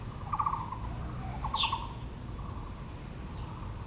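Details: Taiwan blue magpie at Yangming Park, Taipei, in Yangmingshan National Park during azalea bloom: two short clattering rattles, one high squeak between them, then quiet low background noise.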